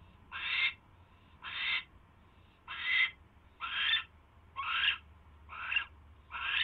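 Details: Harsh, breathy rasps from an owl catching a mouse, late evening of 28 January 2016: seven rough hissing bursts in a steady series, one roughly every second, some with a slightly rising edge, over a quiet hum.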